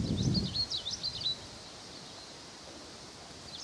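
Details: A Siberian long-tailed rosefinch (Carpodacus sibiricus) gives its summer song, a brief high twittering phrase of quick, wavering notes lasting just over a second, after a low rustle, then quiet outdoor ambience.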